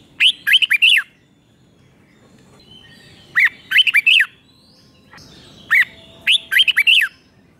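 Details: A Thai red-whiskered bulbul sings a doubled five-syllable song that young birds learn by copying. Three phrases of four to five clear, chirping whistled notes come about every three seconds over a quiet background.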